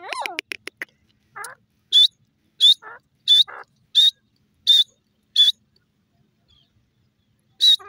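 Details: Francolin repeating loud, sharp high-pitched notes at an even pace, each followed by a lower rough note, opening with a quick burst of rattling clicks.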